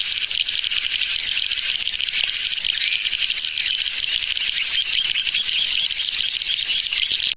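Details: Swiftlet lure call named Tarik Permata: dense, high twittering chatter with bright, thin whistled strokes along the top, ending abruptly.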